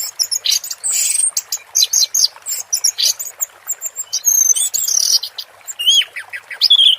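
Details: Orange-headed thrush (anis merah) in 'teler' style, recorded with water therapy: dense, nonstop high twittering and sharp scratchy notes, with occasional longer buzzy strokes, seven seconds without a break.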